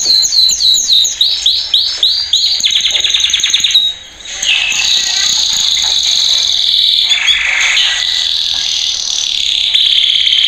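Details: A male Belgian canary sings a training song of fast, high trills: rapid repeated rolling notes at first, then long bright warbling passages and sustained buzzy rolls.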